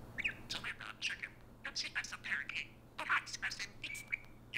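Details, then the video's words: Chirpy, squeaky chatter comes from a prolific talking parakeet kept indoors: two quick clusters of speech-like syllables with a short break between them, part of the parrot talk in which it says "Hey Siri" to an iPhone. "Parakeet activates Siri on iPhone - prolific talking parakeet!"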